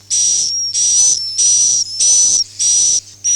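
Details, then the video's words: Swiftlet calls in the "Akau ngaji" style: harsh, buzzy high chirps, each about half a second long, repeated steadily about once a second with a faint thin whistle running through them. "suara walet Akau ngaji Original"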